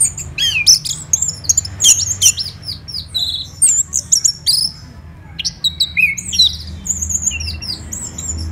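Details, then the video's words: Rich, non-stop song of an orange-headed thrush from Bali, Indonesia, recorded in the morning: dense strings of high, piercing whistles and quick downslurred chirps, a brief gap at midpoint, then renewed twittering phrases. "ANIS MERAH Gacor dan Teleran Suaranya Bikin Burung Yang Awalnya Malas Bunyi Ngedrop Bahkan Macet"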